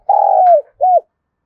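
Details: Spotted dove kept as a decoy to call wild doves, heard in a long level coo that slides downward at its end, followed by a short arched closing note.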